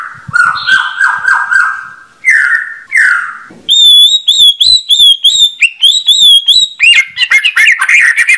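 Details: White-rumped shama with clear sweeping whistles, first low and then higher, followed by a quick, ringing series of high repeated notes and a final scratchy warble.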